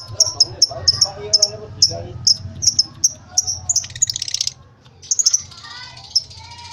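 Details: Lovebird short chatter: crisp high chirps in pairs and singles, then a brief buzzy burst, followed by a few more chirps; a low hum is audible in the background.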